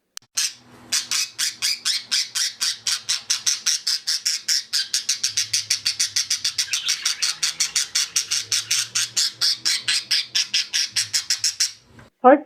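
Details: A pet budgerigar scolds in a fast, harsh chatter of rasping chirps, about six to eight per second, unbroken for about eleven seconds. Such tirades come mostly from males, and researchers suspect excess energy; wild budgies don't do it.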